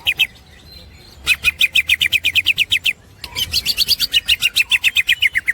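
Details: Green leafbird, kept as a master bird for training songbirds, giving fast chattering song: runs of sharp repeated notes near four per second, a short pause, then a second longer burst of snickering notes.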